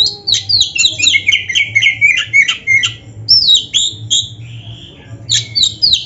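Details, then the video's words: Oriental magpie-robin (kacer) song meant to excite lazy caged birds; quick successive downslurred whistles and buzzy chatter, about three notes per second, a brief pause, then more sweeping whistles, with a low hum behind. "TERAPI KACER GACOR DONGKRAK BIRAHI DAN EMOSI BUAT KACER MALAS BUNYI"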